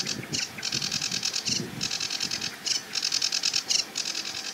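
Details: Sedge Warbler singing and warbling from a treetop beside a marsh reedbed: rapid, buzzy, high-pitched chattering notes in long runs with short breaks, some clearer whistled notes near the end.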